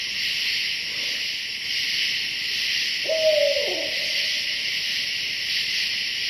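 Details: Wild barred owl at night in Hoosier National Forest, perched right above a tent at a campground and calling for his mate: one low hooted note sliding downward, heard over a loud, steady insect chorus.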